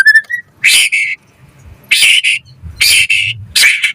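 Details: Insistent white-rumped shama song used as a lure: brief whistles, then repeated harsh, buzzy double bursts with short pauses between them.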